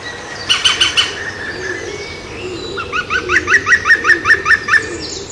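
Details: European green woodpecker drinking and bathing, filmed from behind a window in 2016: a brief run of three high ringing notes, then a laughing series of about nine evenly spaced, steady-pitched notes over one and a half seconds, against a low background hum.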